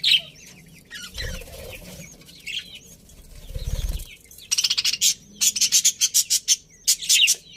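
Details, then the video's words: Budgerigars of a colony give soft scattered chirps and a fluttering rustle, followed by a run of loud buzzy chattering notes repeated in quick pulses. "Happy Budgies Chirping Sounds"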